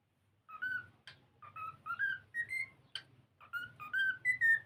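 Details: Pet cockatiel singing while playing: clear whistled notes, some sliding up, others dipping, given in an uneven run of about two per second, broken by a few sharp clicks.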